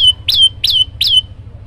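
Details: Three bright chirps from an olive-backed tailorbird singing vigorously. Each note swoops down and trails off into a thin steady whistle, with a quiet low background hum beneath.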